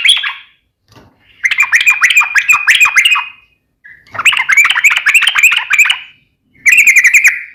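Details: Sooty-headed bulbul (trucukan) singing in a lively, rapid ropel style. Bursts of bubbly, chattering notes run one to two seconds each and are separated by short pauses. A brief lower note comes before the final phrase.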